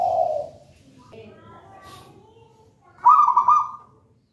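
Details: Wild local zebra dove from a raja banana plant nest, singing actively: a soft coo, a quiet pause, then a loud rolling, bubbling trilled coo phrase lasting under a second.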